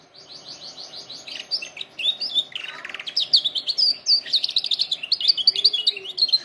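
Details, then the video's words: Canary song for training canaries: rapid rows of high repeated notes, a brief buzzy roll, then a loud, continuous fast trilling with sharp chirps. "canary singing best video to training canaries birds"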